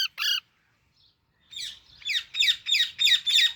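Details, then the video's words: One loud harsh squawk from a baby Alexandrine parakeet, a pause, then a steady series of rasping chirps repeated about three times a second. "Super Cute Baby Alexandrine Parrot Natural Sounds | Baby Parrot Chirping Sounds"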